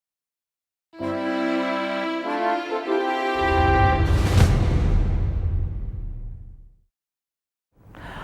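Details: Sustained harmonic musical tones give way to a low rumbling swell and a whoosh, with no animal calls heard.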